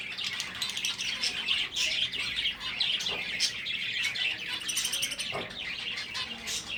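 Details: A dense chorus from breeding finches: many birds give high, thin chirps and twitters, running continuously with overlapping short notes.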